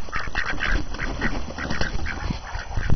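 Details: Hungry ducks on a snowy January morning making short nasal quacks, repeated several times a second, over a strong low rumble.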